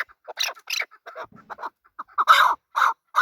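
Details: Male chukar partridge calling: a mix of short clucking notes near one pitch, a few harsher broad bursts, then louder repeated chuck notes toward the end.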